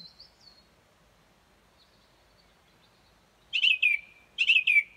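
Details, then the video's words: Song thrush singing at dawn, around 4.30 am, outside a bedroom window where it sings every morning: after a quiet opening with a faint high note, one loud rich phrase is given twice in quick succession. "Song thrush"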